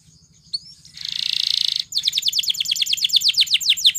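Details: Belgian canary song for training other canaries: a couple of thin upslurred notes, a dense buzzy trill, then rapid descending whistled notes repeated several times a second over a low hum.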